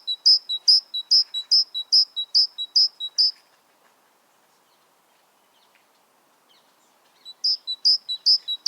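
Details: Great tit singing a steady run of high, clear paired notes, roughly nine in three seconds, followed by near silence and then a fresh burst of the same repeated see-saw phrase.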